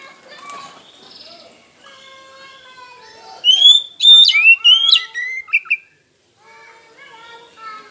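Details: Kacer (oriental magpie-robin) lure song to provoke rivals: a loud run of bright, slurred whistles in the middle, with steady harmonic tones and chatter from other birds before and after.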